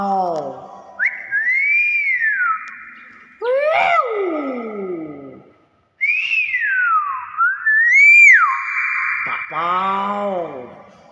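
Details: Common hill myna mimicking, clear loud whistles that rise and fall in smooth arcs, broken by lower, harmonic-rich descending notes and brief pauses.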